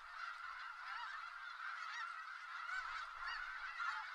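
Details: Snow geese massed in Skagit Valley keep up a steady clamour, dozens of overlapping honks blending into one continuous chorus, some higher yelps cutting through.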